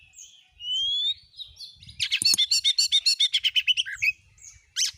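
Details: Oriental magpie-robin song, used to coax a kept bird into singing: a long rising whistle, then a rapid run of about fourteen even buzzy notes, ending in short chirps.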